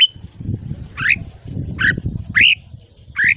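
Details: Red-whiskered bulbul from a morning voice-training recording for young birds: four separate short, slurred whistled notes, each rising then falling, spaced about half a second apart over steady low rumbling noise.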